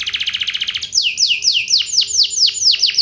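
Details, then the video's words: Canary lure song, a fancy song used to get other canaries singing back: a brief fast trill followed by a run of loud descending whistled sweeps, roughly four per second, with a faint steady hum underneath. "Burung Kenari Lain Bakal Langsung Nyaut! Pancingan Burung Kenari Lagu Mewah Cengkok Joss"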